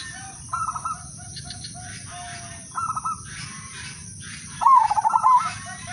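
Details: Two soft trilled phrases from other doves come first, then an udanmas silver zebra dove bursts in with one loud, rapid, pulsed coo phrase near the end, sung as a lure to start other doves singing. A faint high whine runs throughout.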